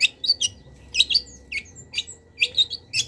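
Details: Long-tailed shrike, with mimicked wild-bird fill-ins, singing as a master for cage birds. Paired sharp chirps and short whistled flourishes come in quick clusters separated by brief pauses.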